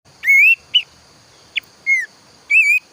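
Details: Planduk semak bird, loud and lively singer heard mornings and toward evening: clear whistled notes, some long and wavering, others short sharp blips, separated by brief pauses over a steady faint hiss.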